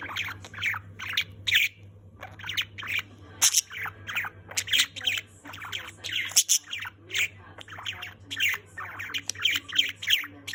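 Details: A chubby male budgerigar singing and chattering nonstop in a fast jumble of chirps, squawks and warbled notes.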